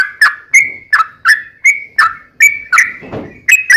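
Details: Lure song of a sooty-headed bulbul meant to provoke other bulbuls into answering: spaced, clear whistled notes with a sharp start and short drawn-out tail, roughly one to two per second, with a faint rustle near the end.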